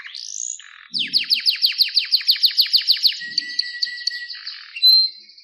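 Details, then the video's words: Singing canary delivering a rising whistled slide, then a fast, evenly spaced run of steep downward-sweeping notes, about fifteen in two seconds, ending in a sustained high trill and a brief bright note. "Wonderfull Canary Singing"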